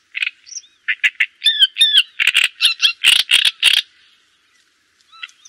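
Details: Java sparrow song of clipped clicking notes breaking into paired hooked whistles, then a steady string of loud chattering, bell-like notes ending abruptly, with a few faint whistles after a pause.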